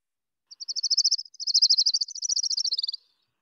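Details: Orange-crowned Warbler song in the Seattle area, where it breeds: a fast, high, burbly trill like a thumb run down a plastic comb, about two and a half seconds, slightly uneven, descending in pitch at the end.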